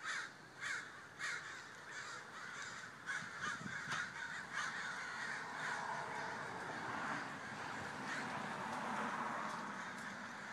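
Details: A large gathering of crows calling together: many overlapping harsh caws, some louder and nearer at the start, blending into a dense continuous chorus that swells toward the end.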